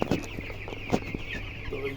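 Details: Several chickens cluck in short, soft, irregular bursts, a few per second, over a low steady hum, as they are given fermented maize feed after their feed pots were emptied.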